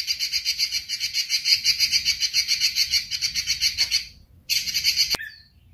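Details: Red-billed leiothrix, called robin, giving fast rasping buzzy notes repeated about three to four times a second in a long steady series, then a short pause, a brief resumption and a sharp click.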